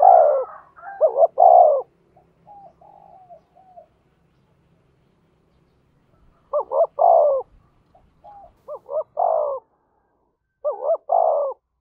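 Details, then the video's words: Spotted dove cooing to spur a fight. Its three-part phrases, two brief rising notes then a longer descending coo, come in bursts with a long pause between. Quiet trailing notes follow. "tiếng chim cu gáy thúc đấu"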